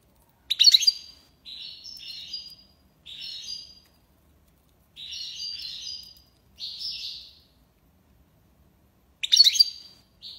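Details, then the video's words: European goldfinch singing tiwawati-style phrases: a sharp jangling opening burst, then several short buzzy, twittering trill segments separated by brief silences, ending with another loud ringing burst; clean recording with no other sounds. "مقنين(حسون) تيواواطي ليباساد"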